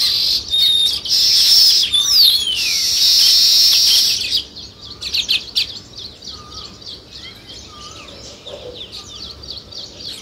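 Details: Sparrow chirping at a weaver nest-building site: four seconds of loud, dense high chatter with swooping notes, fading to soft, scattered chirps and a few low whistles.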